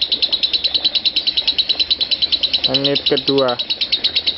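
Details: Lovebird in a 'konslet parah' ngekek, used as a training master for lovebirds. High, rapid chattering pulses run throughout, briefly overlaid by a man's voice in the middle.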